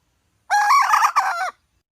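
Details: Red junglefowl hen giving one loud, harsh, harmonic call of about a second, briefly broken near the end, with silence before and after.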